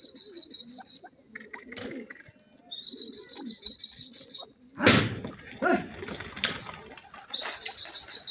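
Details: Francolins (bhura and gora teetar) forming new pairs give quick runs of high, bright, evenly spaced notes in two bursts, then a sharp burst of flapping or rustling and a thinner high note.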